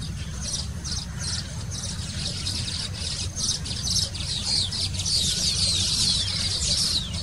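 Baya weavers chatter in a high, wheezy, sparrow-like stream of chirps, nearly two per second, over a steady low rumble like distant traffic.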